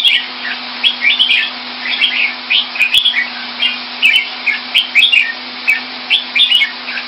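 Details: Red-whiskered bulbul kept in captivity in Singapore and coming into form delivers rapid runs of clear, slurred whistled notes in quick bursts, steady and lively throughout, with faint clicks and a constant low hum behind.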